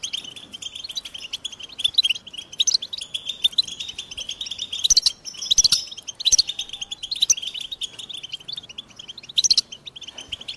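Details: European goldfinch delivering a long, steady twitter of high chirps, punctuated by louder bursts of sharp, ringing notes every few seconds.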